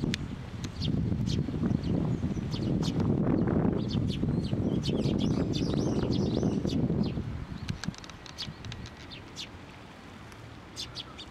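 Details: Sparrows gathering on a water bridge at a Tenmangu shrine to be fed, 30 June 2023. Several birds give short, sharp chirps in quick succession over a loud low rumble that fades after about seven seconds, leaving the chirping clearer.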